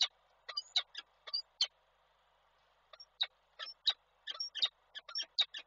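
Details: At the Koszalin nest in Poland, the male peregrine falcon arrives with food on 7 April 2023; clusters of sharp high chips and squeals, a brief pause, then a faster busy run.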